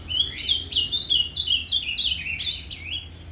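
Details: Ultramarine grosbeak (azulão) delivering Paraná-style fibra song for stimulating a caged bird: an unbroken, lively string of clear slurred whistles, each rising then dropping, repeated quickly throughout.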